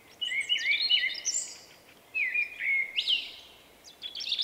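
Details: Common blackbird, a shy male whose song differs from local blackbirds ("vuippi vuippi vuuu"), March 2024: two loud phrases of warbled whistles, each ending in higher, squeaky notes, then a third phrase begins.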